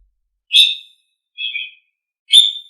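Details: Tutor song of the Asian pied starling (jalak suren) for pet birds: three clear whistled notes about a second apart, the middle one softer and lower, on a silent background.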